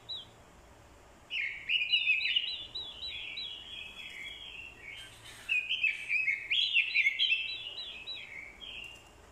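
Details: Fighting song of a decoy orange-headed thrush, incited by a female's calling: two long runs of jumbled, fluty warbling, loud and fast, with a brief gap between them.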